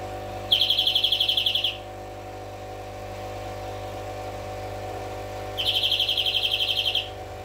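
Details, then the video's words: Two separate rolling trills from a greenfinch, each about a second and a half of quick, evenly repeated buzzy notes, divided by five seconds of humming quiet. "Flurya Kuşu ötümü"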